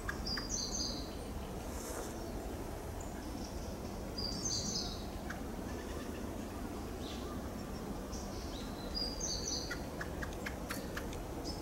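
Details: Pale thrush (Turdus pallidus) giving thin, high, squeaky phrases about every four seconds, each a quick cluster of notes, over a steady low background hum; calls recorded in Japan include jiriri, kyoronkyoron subsong and kyo notes.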